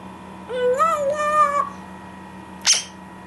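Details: Talking parrot kept indoors making a drawn-out wavering whistle-like note lasting about a second, followed by a short sharp click.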